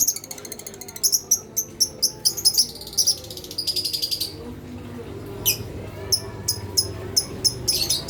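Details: Lovebird calls used to provoke other lovebirds, said to suit silent, young lovebirds: shrill, buzzy chattering bursts, sharp repeated chirps and harsh rasping notes, with short pauses between clusters and a faint low background hum.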